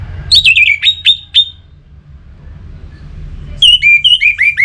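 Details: Orange-headed thrush song used as a singing stimulus: a first burst of sharp chirps over a sustained whistle, a pause, then a rapid string of bright slurred whistles rising and falling.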